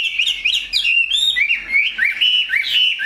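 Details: Pure-bred caged Chinese hwamei of large build singing bright whistled phrases, each note sweeping upward and then repeated about twice a second in a lively rhythm.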